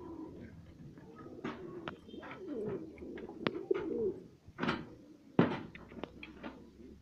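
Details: A pair of fancy satinette pigeons bred at home, giving low soft cooing with bursts of clicks and wing or shuffling sounds, heard indoors in a small room.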